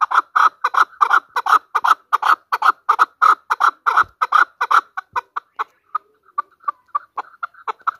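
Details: Chukar partridge (Alectoris chukar), Pakistan's national bird, giving rapid, harsh clucking notes about three per second, starting loud and dense, then thinning into softer, sparser chuks.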